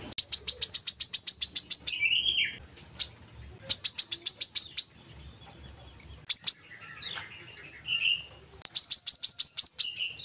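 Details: Lure recording of a brown-throated sunbird meant to coax captive birds into song: bursts of quick, sharp, high-pitched ticking notes lasting one to two seconds, separated by short pauses and brief lower twitters.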